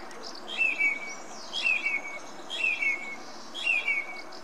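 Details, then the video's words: Song thrush singing, repeating the same clear whistled phrase four times, roughly once a second, each a bright note gliding down into a trailing tone, over a steady background hiss. "Énekes rigó (Turdus philomelos) Song Thrush"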